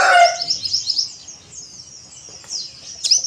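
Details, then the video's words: Oriental white-eye on a terrace, beak open: fast, thin, high twittering that starts loud with a few lower notes, fades to a softer trickle, then ends with a sharp bright chirp. "PLECI DAKBAL BUKA PARUH Di Teras"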